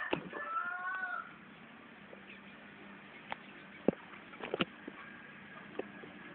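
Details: Junglefowl of the original Riau strain from Rokan Hulu, Indonesia, gives a short harmonic crow phrase at the start, slightly rising then falling, then sharp knocks and clicks over a constant low hum.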